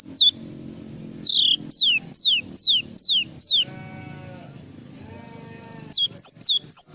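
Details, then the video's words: Java sparrow song: one brief falling whistle, then six loud sharply descending high whistles about half a second apart, a pause with a soft tonal hum, then quick clipped high notes. "SUARA BURUNG GLATIK FULL ISIAN"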